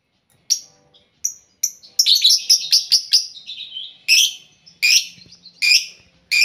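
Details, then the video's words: Lovebirds housed as a group in one cage, making a racket; a dense run of piercing high squeaks and chirps, briefly tumbling into rapid chatter, then spaced shrill calls. "Ginilah Akibat Burung Lovebird Di Buat Satu Kandang Bikin Ribut Sampek Gacor Kali"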